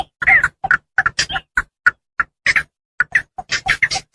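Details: Javan pond heron sounds played as a lure to attract birds. Choppy, harsh squawks and clucks repeat rapidly and unevenly.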